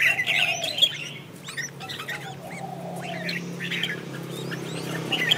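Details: Red-whiskered bulbul singing in competition, a decoy song for training birds and prompting them to sing; loud chattering, warbled notes open the recording, then short rising whistles and scattered sharp chirps follow, over a faint low hum.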